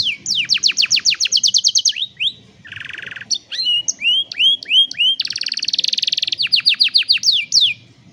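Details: Training song for young canaries from a canary: fast stroked trills, a low buzzy roll, a run of upswept whistles, then a very rapid dense trill and more quick descending strokes, repeated over eight seconds.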